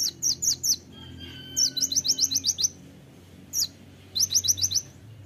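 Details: Kolibri ninja (konin) pouring out sharp, piercing song bursts: a short run of high chirps, a longer rapid series, a single note, then another quick trill-like string, over faint low hum.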